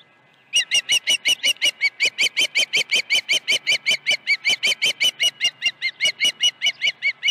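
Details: Osprey at the nest, Dunrovin Ranch, 21 August 2019, morning of two fish deliveries: after brief quiet, a long, regular train of high whistled chirps, about four per second, keeping steady pitch.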